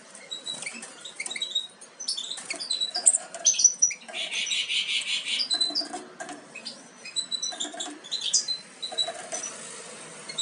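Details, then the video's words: European goldfinch fledglings almost ready to leave the nest, captive-bred: harsh, buzzy high chattering calls in bursts, with a broad rasping squawk near four seconds and scattered thin chirps throughout. "Jilgueros casi listos para saltar del nido"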